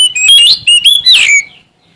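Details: Sumatran Oriental magpie-robin in energetic challenge song: a short, loud run of bright whistled notes jumping up and down, closing with a descending slur.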